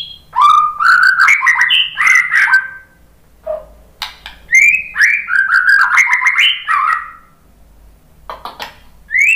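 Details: White-rumped shama song used to prompt other shamas into singing: loud, varied whistled phrases with slurred notes and sharp clicks in bursts, separated by short pauses.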